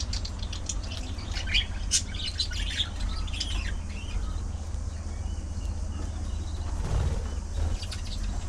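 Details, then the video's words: A budgerigar colony gives sharp chirps and a few squawky notes in the first few seconds, then falls mostly quiet, leaving a low background hum. "Budgie Parrot Colony! A Colorful & Chirpy Paradise!"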